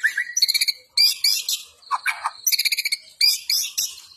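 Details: White-rumped shama (murai batu) singing in an energetic, persistent fighting style (gacor): a rising whistle, then bursts of rapid harsh high chattering notes and buzzy rattles separated by short pauses.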